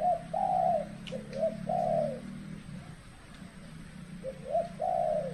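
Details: Spotted dove used as a decoy for trapping during the extreme cold season, when birds are less aggressive; soft hollow coos in short phrases, a brief low note followed by a longer falling one, repeated steadily over a faint low hum.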